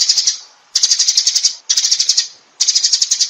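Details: Sparrow calling the flock in three chattering bursts of sharp, high chirps, separated by pauses of about half a second.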